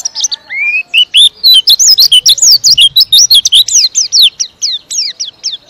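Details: Captive white-eye from Indonesia in energetic, long-lasting song: a rising opening note, then a rapid chain of high, sharply curved chirps repeated almost without a break.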